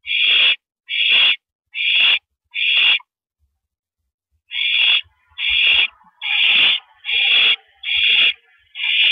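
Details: On a porch perch on the evening of April 9, 2012, at 8:17 PM, an owl gives four harsh hissing screeches, falls silent for about a second and a half, then gives six more at a steady rate of roughly one per second.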